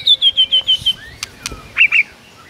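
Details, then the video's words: White-rumped shama singing in the morning, rich fill-in song: a run of six rapid descending whistled notes, then sharp clicks and two bright chirps. "MURAI BATU GACOR ISIAN MEWAH"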